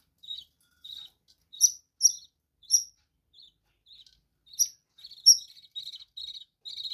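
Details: Captive budgerigars in a bird room giving short, clear chirps with bright high overtones, scattered singly and in pairs, then a quicker run of rapid chattering notes toward the end; quiet gaps between calls.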